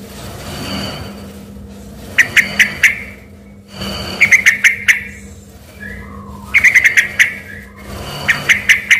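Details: Yellow-vented bulbul singing energetically, its voice mistaken for a white-rumped shama: bursts of four or five short, bright, clipped notes repeated every two seconds, over a steady low indoor hum.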